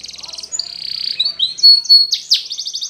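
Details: Training song of a Spanish Timbrado canary: a brief metallic trill, a long buzzy held tone, clear rising whistles and a sustained pure note, closing with a rapid repeated trill.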